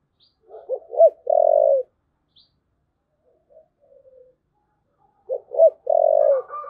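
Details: A spotted dove repeats its 'thúc gù' coo phrase twice, several seconds apart. Each phrase has short hollow notes followed by one long, even, low coo. Faint chirps can be heard between them.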